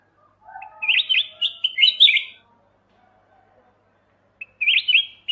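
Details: Kutilang emas mata putih bulbul singing for a songbird-training master: a long run of chirpy, wavering whistled notes lasting about two seconds, a pause, then another bright phrase begins.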